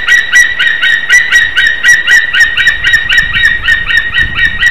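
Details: At a Latvian nest in Slītere, a white-tailed eagle calls while the pair mates and bonds, on a late-February morning in 2021; rapid, evenly spaced yelping notes, roughly four each second, continuing throughout with light background rumble.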